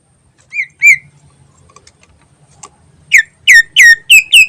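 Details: Greater green leafbird song used as a lure, lively and chattering: a couple of whistled notes, a pause, then five rapid bright downslurred whistles repeated about three per second.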